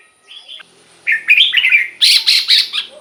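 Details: Red-whiskered bulbul singing, a recording for stirring up caged birds or use as a decoy: a soft lead-in note, then rapid jerky whistles ending in harsher, buzzy repeated syllables.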